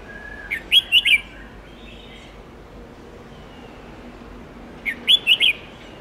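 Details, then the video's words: Red-whiskered bulbul song for training young birds: two brief phrases about four seconds apart, each three or four loud, clipped whistled notes, with a faint soft whistle in between. "Luyện chào mào Hót Nhiều Giọng âm 7-8-9-10 cực dài/Ép chào mào non,má trắng học giọng hiệu quả"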